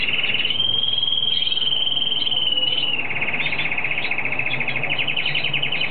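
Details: A Hooded siskin in Argentina during the breeding period sings a long, high, thin drawn-out note, then breaks into a fast, rattling twitter of about four notes a second, over a low background rumble.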